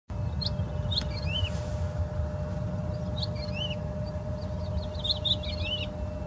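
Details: Woodlark song: short whistled phrases with rising and falling slurred notes in scattered bursts, over steady low rumble and a constant hum.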